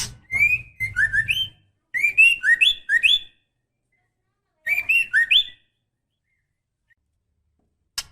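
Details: White-rumped shama female in breeding condition calling to the male: quick bursts of four to six short whistled notes alternating high and low, repeated three times, over a low rustling noise, and a single click at the end.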